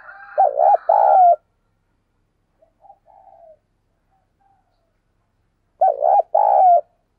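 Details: Decoy spotted dove in captivity uttering its urging call: a paired, quavering coo phrase, a few seconds of quiet with faint soft notes, then the same double coo again.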